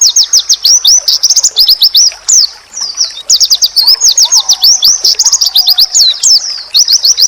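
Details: Masteran training song of an oriental white-eye, used to draw replies from other white-eyes: a dense, nonstop chatter of shrill chirps and slurred whistles, rising and falling quickly, with faint lower warbles in the background.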